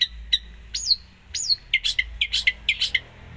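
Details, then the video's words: Long-tailed shrike in full, lively song packed with mimicked phrases: high whistled upslurs and sharp descending notes, then quick bright chips repeated about twice a second, over a faint low hum. "cendet gacor full isian"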